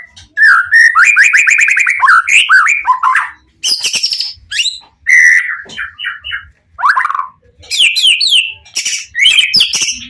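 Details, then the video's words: White-rumped shama, the Pastol PTRK BF bird, singing full of emotion to provoke other shamas into answering: loud rich phrases of rapid descending whistled notes, rattling trills and sharp high chips, separated by short pauses. "Murai Batu Pastol PTRK BF full emosi ... pancingan murai lain bakalan nyautt.."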